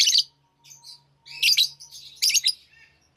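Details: Lovebirds in a lively mood, many birds calling: bursts of shrill, raspy screeches and chattering overlap with softer twitters, while a faint steady hum runs beneath.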